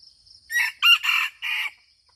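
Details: Aceh red junglefowl crowing: four rasping bursts in quick succession, the second sharpest and loudest, the last a level hoarse note trailing off. A steady high-pitched insect hum runs underneath.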